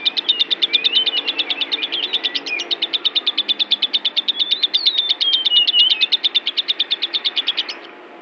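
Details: Agitated lovebird singing: a fast, rapid series of high chirps, about three per second, with thin whistled slurs woven through, continuous for eight seconds in a quiet setting.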